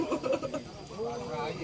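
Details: A zebra dove at a local perkutut singing contest in Purworejo, Central Java, gives quick, low, mellow cooing notes, then a longer drawn-out coo, with voices murmuring in the background.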